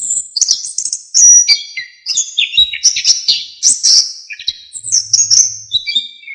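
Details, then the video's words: Orange-headed thrush delivering a full, fluent song meant as a master for songbirds: high, rapid, varied whistles and twittering phrases flowing almost without pause. "KICAUAN ANIS KEMBANG GACOR FULL ISIAN"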